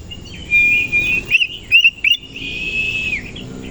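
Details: Oriental magpie-robin singing in the morning while spreading its tail: a long level whistle, a few fast slurred notes, then another sustained whistle that drops at the end, with hiss behind.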